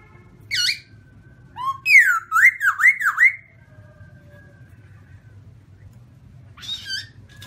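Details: Black-throated laughingthrush of the white-cheeked form in song: a short, sharp whistled note, then a rapid run of loud, looping, rising-and-falling whistles, a long pause with faint hum, and a final brief whistled phrase.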